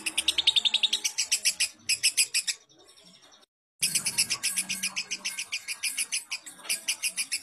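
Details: Lovebird song from a master recording for teaching lovebirds: fast, loud chirp series, a short drop to a faint high whistle and silence, then the rapid scratchy chirping picks up again.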